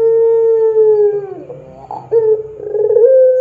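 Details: Puter pelung dove cooing loudly as a training lure: a long steady hollow note that sags and breaks into a rough gurgle, then resumes as another held coo rising slightly at the finish.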